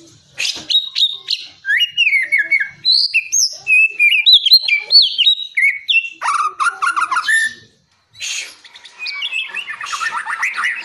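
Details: White-rumped shama prepared for a song competition, singing a long fluent series of clear whistled notes, rising and falling phrases and rapid trills, with a brief pause near eight seconds before more chattering, varied phrases.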